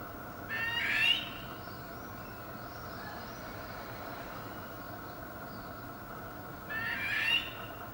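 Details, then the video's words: Barbary partridge mating call from May 2020: two short, rising, squeaky calls about six seconds apart, each swelling then cutting off, separated by a quiet stretch of steady low hum. "Barbary Partridge Mating Call"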